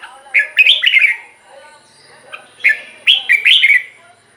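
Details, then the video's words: Red-whiskered bulbul, a caged songbird played to rouse other birds, gives two rich, bubbling, whistled phrases separated by a short pause, with faint low chatter beneath. "เสียงนกกรงหัวจุก สำหรับต่อ หรือ เปิดให้นกคึก เสียงเพราะๆ"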